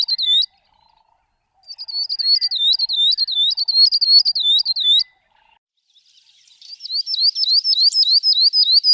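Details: Northern grosbeak-canary of Ethiopia, Kenya and Somalia singing fast trains of looped, whistled notes, first evenly curved then sharper rising strokes, roughly three to four per second, separated by a short pause with faint low twitters.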